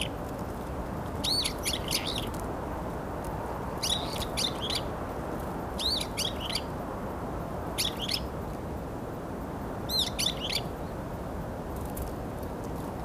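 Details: Varied tits in a group, competing with each other, recorded in January 2021; five short clusters of high, sharp chirps repeated every two seconds or so against a steady low hiss.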